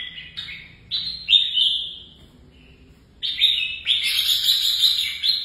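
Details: Caged red-whiskered bulbul in singing training for song contests, delivering loud, bubbling whistled phrases separated by a short pause, then a dense, buzzy-edged burst of warbling.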